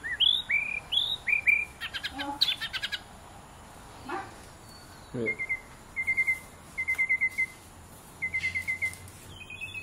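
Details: White-rumped shama, a pet bird playing with its owner, gives short upslurred whistles, then a run of quick clicks, then a series of brief level whistled notes repeated in small clusters, with a few soft knocks in between.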